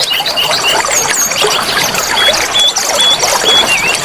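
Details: Oriental magpie-robin song used to rouse a kept bird's excitement: clear whistled notes, some flat and some sliding, repeated against a steady wash of flowing water.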